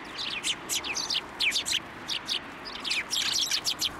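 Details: A flock of sparrows at a Tenmangu shrine, 16 December 2023, flying to a hand for food; dense overlapping high chirping and twittering, nearly continuous throughout, several birds calling at once.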